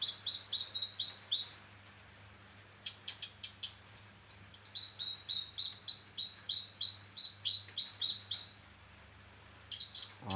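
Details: Kinoi song for training songbirds: short upward-flicking chirps delivered in rapid rows, a dense twittering burst in the middle, then more evenly spaced chirps, over a continuous high tone and low hum.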